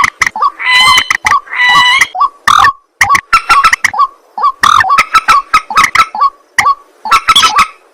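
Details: White-breasted waterhen calling at night: harsh, croaking notes in quick bursts, some longer nasal harmonic squawks early, then a run of short clipped grunts and rasps with brief gaps.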